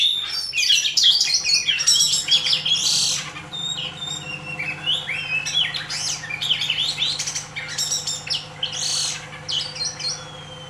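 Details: Two fighting oriental magpie-robins, both pouring out their full song repertoire: dense, varied high whistles, chirps and harsh squawks tumbling rapidly over each other, with a steady low hum underneath.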